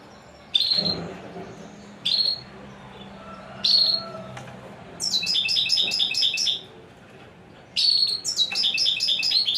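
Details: Royal goldfinch giving three separate sharp chirps about one and a half seconds apart, then long rolling runs of high, rapid, jingling twitters.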